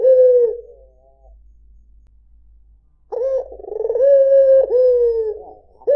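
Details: White Barbary dove cooing: one short, low, smooth coo, a two-second pause, then a longer rolling coo with a wavering, throaty middle that lasts nearly three seconds.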